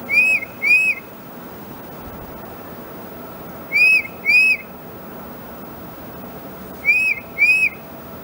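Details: Tufted Titmouse, a year-round resident in North Carolina, sings clear whistled two-note 'peter' phrases, each note slurred up and down, repeated roughly every three seconds over a low background hum.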